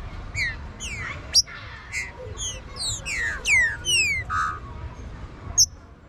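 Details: Green-winged saltator warm-up song, made of clear downward-sweeping whistled notes in uneven groups, some loud and buzzy-edged, broken by sharp high clicks at the start and end.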